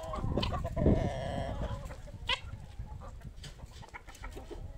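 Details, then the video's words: Poultry flock at feeding time: a loud cluck and short squawk early on, then scattered clucks and soft chatter from several chickens over a low rumble of movement. "Τime for food , happy moment for our poultry"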